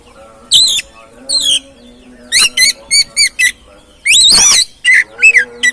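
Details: Oriental magpie-robin singing to encourage another bird to sing: loud high whistles, rapid rising slurs and a harsh broad burst, phrases spaced irregularly over a faint low hum.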